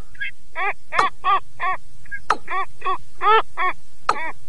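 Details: Male and female rails calling together, played through a speaker as a lure: loud, rhythmic, nasal harmonic notes repeated about three times a second, with occasional sharp clicks.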